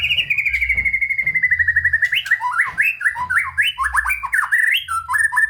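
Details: White-rumped shama in rich, energetic song used to encourage lazy shamas: a long, slowly falling rapid trill followed by quick zigzagging whistled phrases.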